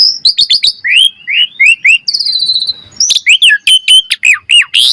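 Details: Asian pied starling singing varied training song: quick sharp chips, rising whistled slurs, a fine trill, then a lively run of high bright notes.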